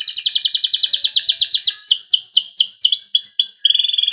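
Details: Dense cengkok rapat song from a panda-coloured Loper canary: a very rapid stuttering trill, then spaced arching whistles about three per second, closing on a flat buzzy note.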